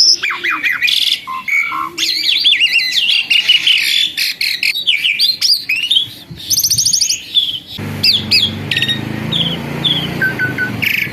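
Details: Tame Asian pied starling, once skittish, sings a busy mix of wavering whistles, rapid trills and harsh notes; after about eight seconds a low rumbling background noise joins the softer whistled calls.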